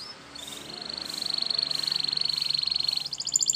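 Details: Training song of a Spanish Timbrado canary: a soft, steady high rolling trill that runs for about three seconds before switching to a brighter, quicker series of notes.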